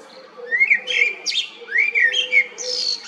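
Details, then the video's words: Common blackbird song: two swooping, rising-falling fluted whistles, each followed by a breathy, scratchy trill, with a faint low drone behind. "Fekete rigó /Turdus merula"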